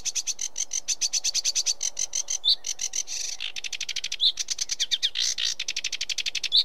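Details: Sedge warbler in continuous song: a fast, dry, rattling chatter of scratchy notes with a few clearer whistled notes mixed in, delivered without pause.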